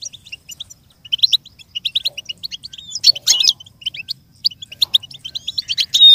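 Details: Lively goldfinch twittering intended for imitation learning. It is a quick sequence of high chirps, buzzy trills and tinkling notes that grows denser toward the end, with a faint low background hum.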